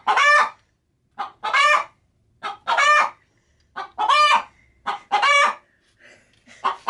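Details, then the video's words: Domestic hen, kept as a pet, nesting in a feed sack before laying, cackles when approached: loud, rasping notes in pairs, a short cluck then a longer harsh squawk, repeated roughly every second in an irregular rhythm. "Pet Hen Picolina making funny sounds (Gallina Picolina haciendo sonidos graciosos)"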